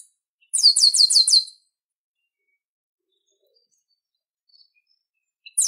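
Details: Chestnut-capped blackbird (garibaldi, papa-arroz): a quick series of five sharp, bright repeated chirps about a second long, then silence, with another chirp burst beginning at the end.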